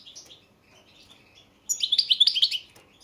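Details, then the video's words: European goldfinch, Balkan subspecies, from a 2022 song competition entry: faint soft twitters at first, then after a quiet gap a loud rapid series of high chirping notes lasting about a second. "Pesma štiglića 003/22 World Championship in Goldfinch Song"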